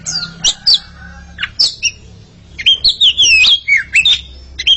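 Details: Paired Oriental magpie-robins sing against each other; scattered sharp chips and a short squawk give way to a flowing sequence of sweet, wavering whistles over a faint steady hum.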